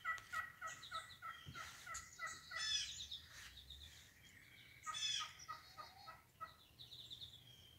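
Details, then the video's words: Several wild turkeys in a yard on 22 March 2019, in mating season, gobble in rapid rattling bursts that overlap and answer one another, punctuated by higher yelps and clucks. "Wild Turkeys"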